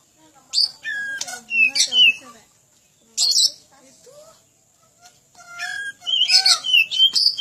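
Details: Oriental magpie-robin (kacer) training recording: scattered whistled slurs and buzzy chirps, some lower wavering notes, ending in a dense burst of rapid varied whistles.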